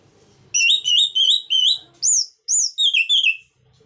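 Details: A singing orange-headed thrush, whose song is played to get reluctant thrushes to sing: a clear run of wavering warbled whistles, then looping upslurred notes and falling twittery phrases, all loud and close.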